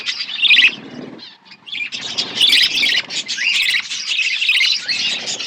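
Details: Group of budgerigars chirping in an outdoor aviary: a brief burst of high warbling chatter, a short lull, then a sustained stretch of overlapping bright chirps and squeaky warbles.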